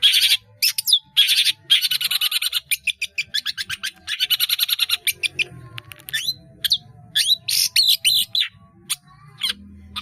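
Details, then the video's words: A singing long-tailed shrike, used as a training model for caged birds, opens with rapid buzzy trilled bursts, then shifts to scattered sharp chips and downslurred notes from its rich repertoire of mimicked phrases. "CENDET GACOR ISIAN BANYAK"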